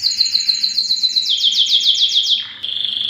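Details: Canary song from a Belgian canary: a rapid series of sweeping repeated notes, speeding and descending, a quick downward slide, then a steady high trill.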